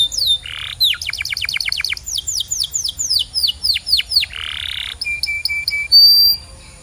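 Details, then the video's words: Canary song for training other canaries: a buzzy roll, then a quick series of steep falling notes, spaced curving slurs, another buzz, four short level whistles, and a sustained bright high note. "This Singing Canary Will Make Yours Sing Instantly!"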